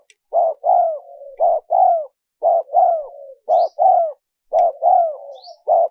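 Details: Spotted dove cooing, recorded for luring wild doves: a steady rhythmic series of hollow phrases, a clipped note then a longer falling coo with a soft trailing murmur, repeating roughly every second.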